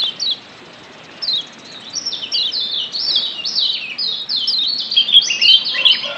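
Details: Lombok yellow white-eye in the wild, a lure to make birds sing: sparse high chirps at first, building into a continuous run of quick down-slurred whistly notes.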